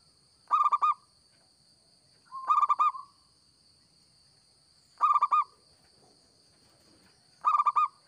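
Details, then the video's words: Local zebra dove in vigorous song, recording meant for luring: four short rolling bursts of quick, stuttered coos, repeated about every two and a half seconds over a faint constant high hum. "Perkutut Lokal Gacor‼️Cocok Buat Pikat BUNYI"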